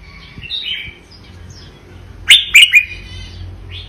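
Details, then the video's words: Red-whiskered bulbul, Vietnamese type, 'double' song: quiet warbled notes, then three loud, sharp, clipped notes in quick succession over low background hum. "นกกรงหัวจุกเวียดนาม ร้องเบิ้ล!! ร้องมัน"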